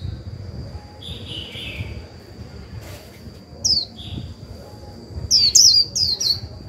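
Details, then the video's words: Decoy white-eye giving 'líu' song to excite newly caught birds: scattered high, quick downslurred notes, a short lower buzzy warble, then a tight cluster of sharp high chirps near the end, with a constant faint high-pitched whine. "Khuyên mồi líu vừa phải kích bổi líu ngay!"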